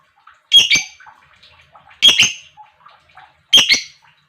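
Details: Lovebird calling, meant to excite other lovebirds into song: loud, harsh double squawk-chirps repeated about every one and a half seconds, with quiet twittering and soft notes between them.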